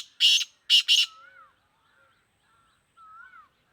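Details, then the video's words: Sindhi black francolin (kala teetar) in captivity gives a harsh, rasping call of three quick scratchy notes, the last two joined. Afterwards faint, slurred whistles from another bird drift in the background. "Kala teetar sindhi || black francolin //sweet voice"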